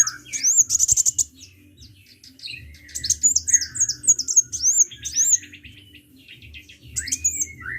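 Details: Sunbird in full song: a fast trill of tiny ticking notes opens, then a tumbling series of high, bright, upward-flicked whistles and chirps, fading into softer twitters.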